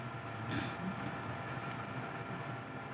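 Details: Mountain white-eye in the morning giving a short run of very high, thin, piping notes, a downward slur followed by about six quick repeated whistles, over a low steady hum.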